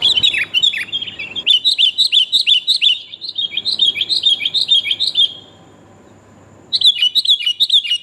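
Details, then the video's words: Sooty-headed bulbul female calling the male, used as a lure for catching birds; rapid strings of bright chirps and short downslurred whistles, then a silent gap of over a second before the chirping resumes. "kutilang betina memangil jantan mp3 pikat burung kutilang paling jitu"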